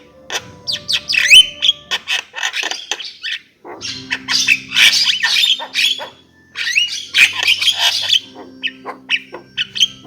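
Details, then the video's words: Javan myna singing a harsh, squawky jumble: rasping bursts, short rising whistles and clicks in quick clusters, with two brief pauses between phrases. "Kicau jalak kebo"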